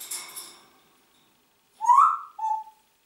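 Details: Talking Congo grey parrot kept as a pet, after a fading noisy burst: a clear rising-and-falling whistle, then a shorter steady whistled note at a lower pitch, in a quiet room.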